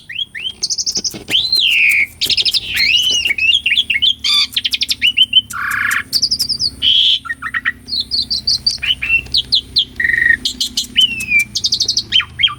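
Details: Asian pied starling singing in peak form, real recording meant to stimulate other caged birds to sing: long varied medley of looping whistles, wavering notes, harsh buzzes and clicks, delivered almost without pause.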